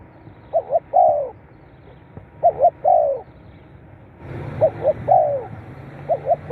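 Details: Call of a spotted dove, used to stimulate captive birds. Three phrases, each two clipped coos then a longer sliding coo, spaced roughly two seconds apart. A broad rushing noise starts partway through and continues under the last phrases.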